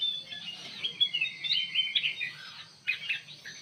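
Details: Bulbul (kutilang emas) singing in an aviary: a quiet run of clear whistled, warbling notes that rise and fall, broken by a short pause before a final burst, with a low background hum.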